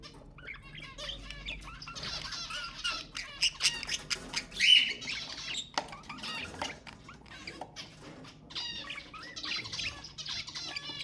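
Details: Stimulating budgerigar sounds: a long, crowded stretch of overlapping high chirps, buzzy rattles and scratchy warbles, swelling to a loud squeal near the middle before easing into steady twittering.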